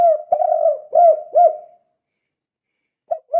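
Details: Spotted dove in full voice, a kuk 2 style call used to lure other doves into calling: a run of soft, hollow coos with rounded, bending notes, then a short pause before the next phrase begins.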